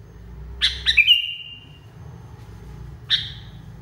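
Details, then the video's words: Agitated kutilang, the Sooty-headed bulbul: two quick bright notes, then a drawn-out even whistle fading after half a second, and a lone sharp note later; steady low background hum. "KUTILANG NGAMUK PARAH"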